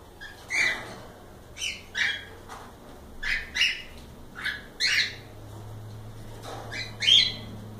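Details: Cockatiels in a live stream give a series of short whistled chirps, roughly one or two each second, with a steady low hum behind them.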